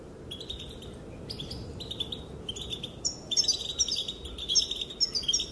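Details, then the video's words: Female European goldfinch calling while males are said to dance: sparse twittering phrases at first, building after three seconds into a livelier stream of high tinkling chips and trills. "Sounds and calls of the female goldfinch make the males dance"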